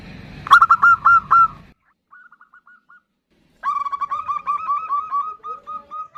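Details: Zebra dove, a female calling the male, in a compilation of answering calls used as a lure: a burst of loud rapid warbling coos, a faint short series, then a long run of rapid chirring notes.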